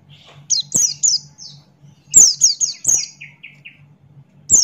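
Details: Male Buxton's white-eye singing in the lively 'ngalas' style with open beak: short bursts of high, thin, downslurred whistles, a faster run of sliding notes near the middle, and a steady low electrical hum underneath.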